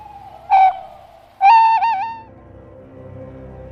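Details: Tawny owl hooting in the breeding season, possibly more than one bird in a well-occupied Iberian wood: a brief hoo, a pause of about a second, then a longer wavering, quavering hoot, over a faint low hum.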